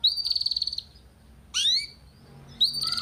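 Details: Young-canary training song from a master recording: a buzzy rolling phrase, a pause, one sharp upslurred note with a harmonic, then another buzzy roll, with a soft low hum behind.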